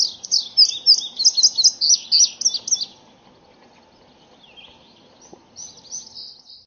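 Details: An indigo bunting gives a quick run of high, bright, sweet notes for about three seconds, then a pause and a shorter high phrase.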